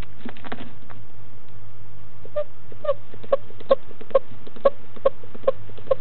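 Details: Newly hatched wild barred owlet in Florida, about four hours old, eating its second meal at 10 am on 19 February 2015. After a low rustling start, short high peeps repeat about every half second and grow louder, over a steady low hum.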